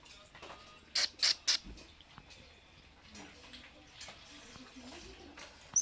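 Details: A pet Alexandrine parakeet at play indoors gives three harsh, crackling bursts in quick succession. Softer chatter and clicks follow against quiet room noise.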